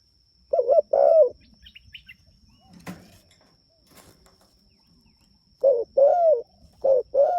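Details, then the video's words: Spotted dove calling to its companions: a short, throaty two-note coo, then a quiet stretch with a faint tap, then another run of four hollow coos, with a steady high-pitched whine behind. "Suara Burung Tekukur Gacor Memanggil Temanya"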